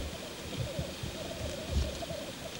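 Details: Male black grouse at a courtship lek, giving a low, continuous bubbling coo that wavers in steady undulating phrases, with low rumbling background noise.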